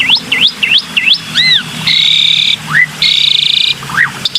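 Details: A black-winged myna gives four quick looping whistles, then two long, even, harsh buzzes separated by short rising and falling whistled notes, recorded as a lure sound.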